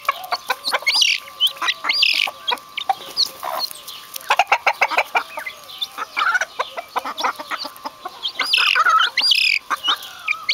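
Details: Several vulturine guineafowl give rapid bursts of hard clicking and clucking notes, broken by brief pauses, with occasional higher squealing calls and chattering toward the end.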